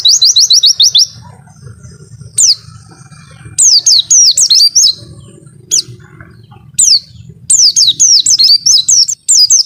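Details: White-eye delivering 'wit-wit' masteran song: a fast string of high chirps, then scattered groups of sharply falling whistles and twittering notes separated by quiet gaps over a faint low hum.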